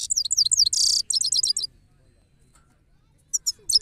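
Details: European goldfinch delivering a quick, high twittering phrase with a harsh buzzy burst in the middle, followed by near silence and a few sharp high notes near the end.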